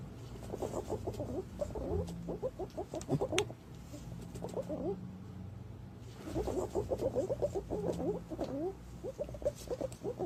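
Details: Green pigeons, recorded for luring: fast, low, chattering and warbling notes in two long bouts separated by a quieter stretch of a few seconds.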